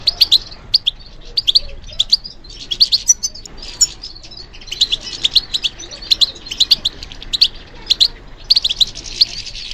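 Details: European goldfinch song given as a response to stimulation; bursts of liquid, tinkling twitters and sharp chips arrive in clustered phrases separated by short pauses over nearly ten seconds.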